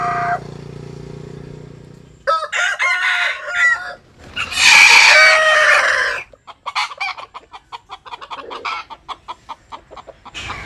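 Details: A Jap Cuban bantam cock sunbathing gives a choppy, broken opening, then a long, loud, hoarse crow. A run of short, rapid clucks follows, evenly spaced and fading.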